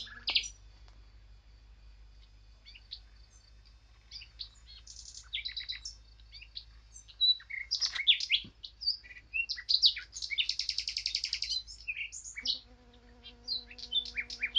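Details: Eurasian blackcap with scattered single high notes at first, then a loud burst of chattering, scratchy warbling near the end; a steady low hum joins during the final seconds.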